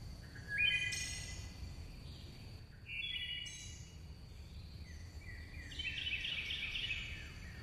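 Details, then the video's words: Chickadees singing: three separated bursts of rough, buzzy, harmonic-rich notes at mid-high pitch, some sliding down then rising, over a faint steady high-pitched tone and soft background hiss. "Singing Chickadees Sound"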